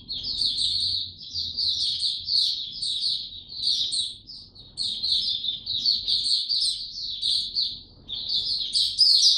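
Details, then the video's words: Captive white-eye given no health supplements, recorded 29 April 2022, singing a quick, high, sweet twittering warble in long runs with a few short breaks, over a faint low hum. "Mata Puteh Hercules buka sing"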